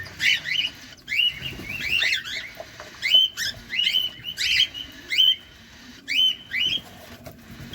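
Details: Close-up of a feeding pet cockatiel: repeated bright chirping notes, some rising whistles, delivered in quick bursts about every second, with quiet scratchy rustling beneath.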